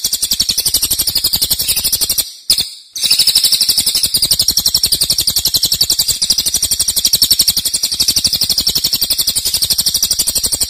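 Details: Pygmy bushtit song used as a training recording for songbirds: a long, unbroken stream of rapid, very high, thin chirps, about four per second, with a brief pause near the start.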